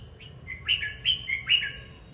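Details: Red-whiskered bulbul singing as it dances: one clear, cheerful phrase of four liquid whistled notes, each swooping up and then down, rises over a soft low background hum.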